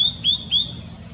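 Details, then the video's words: White-naped tit calling away continuously: high thin notes sliding and dipping in quick succession over about a second, clean and sharp against a quiet background. "White-naped Tit calling"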